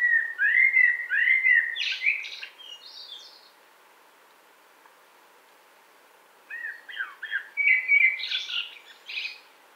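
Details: Common blackbird singing near Wittlich, 2018: two phrases of low, rich fluted warbling, each ending in higher squeaky twitters, separated by a few seconds of quiet.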